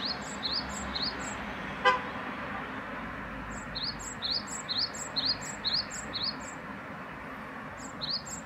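A great tit repeats bright, high two-note phrases in quick bursts of three to four, over a steady hum of traffic with one sharp click.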